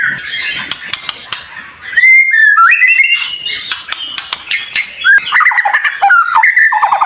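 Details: Dense, high-pitched white-rumped shama song made to prompt other shamas to sing: chattering start, then long level whistles stepping upward, followed by quick descending chips and trills.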